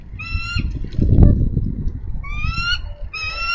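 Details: Female bald eagle on a Minnesota nest, 3 May 2013, calling her mate to relieve her from nest duty: short series of high, harmonic, chittering notes near the start and again toward the end, over heavy low rumbling and thumping noise.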